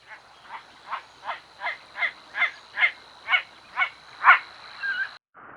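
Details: Great Crested Grebe contact call, which starts the process of grebes getting together for their mating rituals; a run of about eleven harsh, nasal barking notes, repeated roughly every 0.4 seconds and growing louder toward the end, over a steady background hum.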